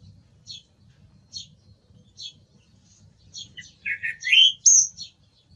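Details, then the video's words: Song thrush singing: a run of soft, high, evenly spaced notes about every 0.9 seconds, then a louder burst of rich warbled and whistled phrases near the end. "Sonido del Zorzal Comun - Sturz cantator - TURDUS PHILOMELOS"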